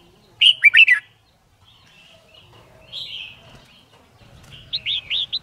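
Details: Red-whiskered bulbul, a white-cheeked type, singing during training to learn song quickly for competition singing: a burst of loud warbled notes, then quieter whistles, ending with a fast string of four bright rising whistled notes.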